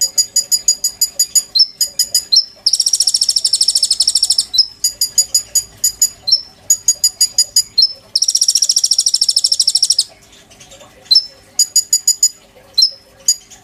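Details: Oriental magpie-robin in sustained song full of borrowed phrases, used as a master song for training kolibri ninja birds: runs of sharp repeated notes and slurred whistles broken by two long, harsh, buzzy high trills.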